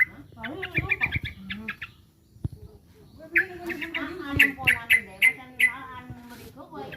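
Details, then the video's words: Sooty-headed bulbul under threat calling in two spells of fast stuttering notes, the second louder with sharp accented chips, mixed with lower wavering sounds and clicks. "Suara burung trucukan lagi ter4ncam"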